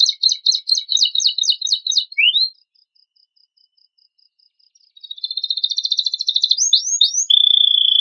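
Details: Canary master song with rich fill, meant to provoke untrained birds to sing: a dense high trill, a rising swoop, a pause of about two seconds, then a buzzy rolling trill, quick upward slurs and a steady held whistle.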